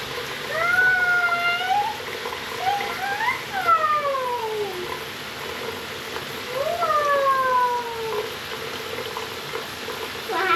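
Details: Pet scarlet macaw, female, indoors having a bath and screaming with happiness: drawn-out harmonic squawks that rise then slide downward, several in a row, over steady running shower water.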